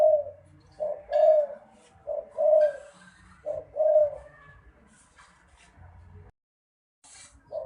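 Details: Repeated low cooing of a spotted dove: three soft two-part phrases, a clipped note then a longer rounded coo, followed by a few quiet seconds before another coo begins at the end.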